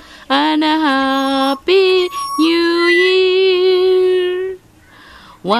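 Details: A voice sings long, steady, wavering notes with rich overtones, in several phrases separated by short pauses.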